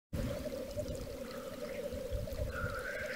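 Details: Black grouse at a lek in Wales in March 2013: a steady low bubbling chorus runs throughout, with a drawn-out hissing note near the end, over rumbling wind.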